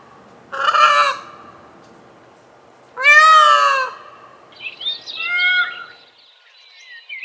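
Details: Adult male Indian peafowl giving powerful, high-pitched, far-carrying calls: two loud harmonic wails about two seconds apart, each near one second long, followed by softer broken chirping notes and faint higher squeaks.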